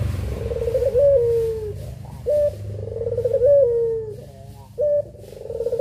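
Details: Puter pelung doves, a pair, recorded as a master: three long coos, each starting with a bright tone and then sliding down with a buzzy tremble, separated by short single notes, over faint low humming.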